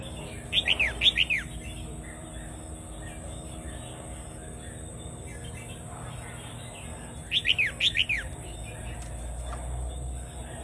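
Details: Vietnamese Red-whiskered bulbul singing a doubled song, played to teach young birds and to excite other birds; two bursts of four or five quick, sharply descending whistled notes about seven seconds apart, over steady faint hiss.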